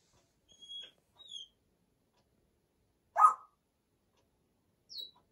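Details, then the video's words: Congo African grey parrot, a 34-year-old pet female, chattering while talking herself to sleep indoors: sparse soft whistles and squeaks, one louder short croaky note near the middle, long quiet gaps. "Talks Herself To Sleep [Parrot Chatter]"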